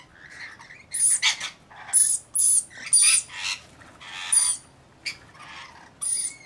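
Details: Rainbow lorikeets at bathing and feeding time, several grating, high screeches in quick succession, some with a thin whistled edge, separated by brief pauses.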